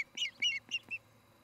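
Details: Osprey at a nest camera in Charlo, Montana, August 2018 evening: four quick, squealing whistled chirps, each slightly downslurred, then silence.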